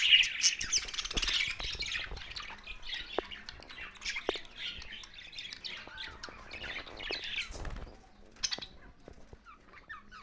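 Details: Budgerigars chattering and squawking in short rapid notes, busiest at the start then thinning out, with a few sharp clicks and quieter chirps toward the end.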